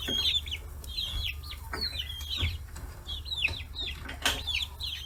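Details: A flock of 40-day-old free-range chicks gathered at fish heads in Kitahiroshima, Hiroshima: a steady stream of looping, high peeps from several birds, with occasional clicks and a constant low hum.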